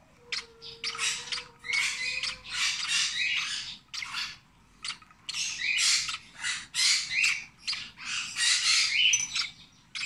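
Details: Rosy-faced lovebird chick, 26 days old, being hand-fed, giving harsh, raspy, noisy squawks in rapid bursts that run in clusters with brief pauses between them, continuing throughout.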